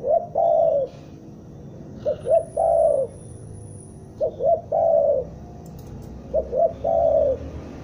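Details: Lure call of a Bandung spotted dove, used to attract birds into traps. Steady phrases of two short coos and one long sliding coo repeat about every two and a half seconds, with faint high whines in the background.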